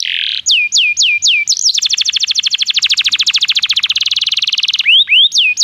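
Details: Canary singing, played to prompt other canaries to sing: a few loud falling whistles, then a long, very fast rattling trill of pure, even notes, ending with more swooping whistles.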